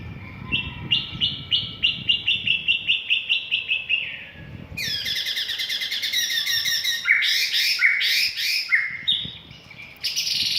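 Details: White-rumped shama song used to provoke birds into singing and fighting: a run of about a dozen evenly repeated clear whistled notes, then loud harsh buzzy rattling bursts mixed with sharp whistles.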